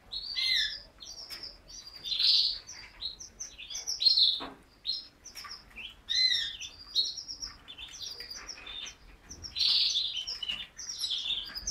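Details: Canary singing: a busy run of high chirps and short trills packed in bursts, with brief pauses between phrases and louder rolling notes near the start, middle and end.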